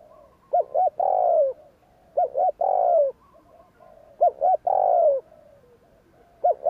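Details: Spotted dove in the 'gù kích' luring style, phrases roughly every two seconds: a pair of brief hoots followed by a long descending coo, repeated three times and starting a fourth.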